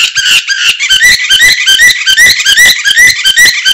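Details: Canary song used to prompt and tutor other birds: loud, rapid run of bright rising chirps and rolling trills, notes repeated several times per second without pause.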